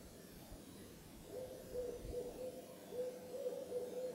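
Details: Owl heard at moonrise from the Carpenter Mountain fire lookout in Oregon's H.J. Andrews Forest; after a quiet start, rapid series of brief, steady-pitched hoots, repeated in short groups, with a few low thumps.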